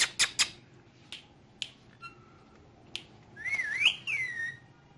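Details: Green ringneck parrot said to talk in Urdu/Hindi. Several sharp clicks and snaps at the start, a faint thin whistle, then a wavering, looping whistled phrase that climbs and falls twice before fading. Low background hum.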